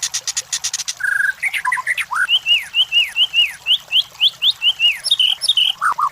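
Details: White-rumped shama song used as a training and lure recording for competition birds: a burst of rapid buzzy pulses, then a steady whistle and a run of quick, sharply falling whistled notes repeated in a lively series.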